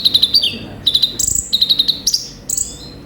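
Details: Konin (olive-backed sunbird) singing energetically with a full repertoire: quick buzzy trill bursts alternating with high sustained whistles that step upward, several phrases in quick succession.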